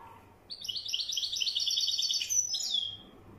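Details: A wedyani goldfinch delivers one dense phrase of fast, jingling high notes that ends in a smooth downward-sliding whistle.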